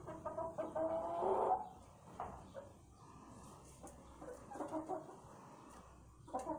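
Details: Chickens in their roost area: a drawn-out, harmonic, slightly nasal call lasting about a second and a half, followed by a run of softer, scattered clucks and low murmurs.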